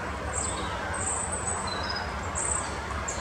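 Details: Short-toed Treecreeper giving very high, thin, piercing notes in short bursts about once a second, over a steady low rumble of distant traffic; Oosterbegraafplaats cemetery, Amsterdam, Netherlands, 1 November 2015.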